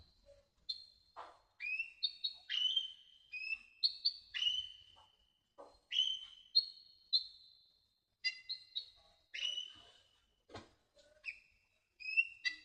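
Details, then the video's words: Sunbird, kolibri ninja, singing for masteran: clean isolated phrases of rising and falling whistles mixed with quick chips, separated by short pauses, in an otherwise quiet background. "MASTERAN KICAUN KONIN KOLIBRI NINJA SINGING BIRDS"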